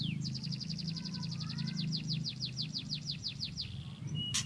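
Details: Murai singing to draw a reply from another bird: a fast series of about twenty repeated high sweeping notes, evenly spaced, ending with a sharp click, over steady low hum.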